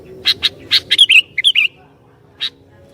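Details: Sooty-headed bulbul, described as good at provoking rival bulbuls, giving several quick harsh chirps, then short slurred whistled notes, and a single chirp after a pause.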